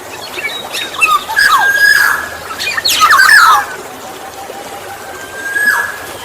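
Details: Black-naped oriole, used as a lure to draw in other orioles: rich liquid whistled phrases mixed with harsh, scratchy calls in two bursts, then a long steady whistle near the end, over a faint outdoor background.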